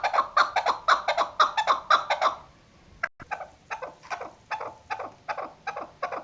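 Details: Female chukar partridge, hunting call: a fast run of loud, harsh clucking notes for two seconds, a short pause, then a slower, softer series of evenly spaced chuk notes.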